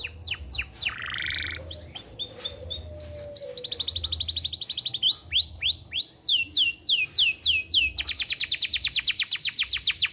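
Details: Persistent singing canary, kept to tutor young birds and stimulate breeding in female canaries, pours out a varied song of rapid repeated tours: downward sweeps, a buzzy rattle, rising notes and a fast high trill at the end.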